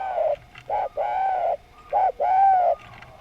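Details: Spotted dove of the Javanese type in lively, melodious song, giving mellow low coos in close succession: short notes alternating with longer, steady held coos, with brief gaps between them and a faint hum underneath.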